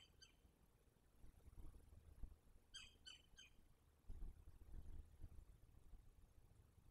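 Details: Nighttime at a Verreaux's eagle nest in Selati, 9/7/23, with both parents and their eaglet; a faint chirp, then a quick cluster of three high squeaky harmonic notes, followed by low thumping and rustling.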